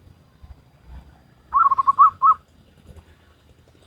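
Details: Local wild zebra dove in Salendro rhythm: after quiet background hum, one phrase of quick wavering coos followed by two fuller, longer notes, with the next phrase just beginning at the end.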